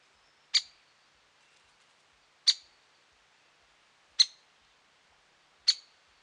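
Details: Sharp single 'kik' calls of a great spotted woodpecker at Lake Tavatuy in the Middle Urals, June 2017; four loud, clipped notes repeated roughly every one and a half to two seconds in calm surroundings.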